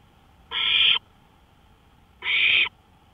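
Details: Nighttime owl on a porch, 1:53 AM, May 5, 2013: two drawn-out, grating hissing screeches nearly half a second long, about one and a half seconds apart.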